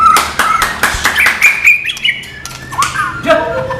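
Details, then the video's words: White-rumped shama song, non-bubbling training material: sharp tapping clicks under short whistled notes and quick rising phrases, thinning to a few sliding whistles near the end. "MATERI BURUNG MURAI BATU NON GELEMBUNG"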